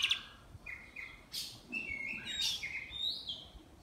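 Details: Contest Oriental magpie-robin from Miri, Sarawak, kept caged: brief flat whistles and a few buzzy high bursts, somewhat quiet, with light background noise.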